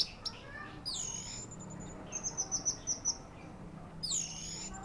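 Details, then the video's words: Orange-headed thrush giving sweeping high whistles that slide downward, then a series of about eight short evenly spaced high notes, followed by another down-slurred whistle. "Anis merah"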